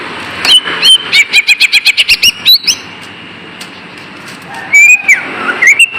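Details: Green leafbird lure song for rousing lazy pet birds: a quick stuttering series of about ten clipped chirps, a pause with faint background hiss, then long sliding whistles.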